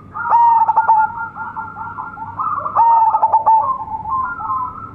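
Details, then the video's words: Local zebra dove singing steadily with a big, rich voice: a loud whistled coo broken by quick stuttering notes, then softer rolling trilled phrases, with the full phrase returning about two and a half seconds later. "PERKUTUT LOKAL GACOR SUARA BESAR-MEWAH"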